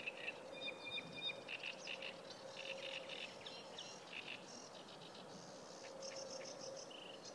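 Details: Sedge warbler singing by the Kyjovka stream at Lanžhot on 15 May 2016: a fast, varied chatter of scratchy notes, short whistles and buzzy trills, with a steady low hum underneath.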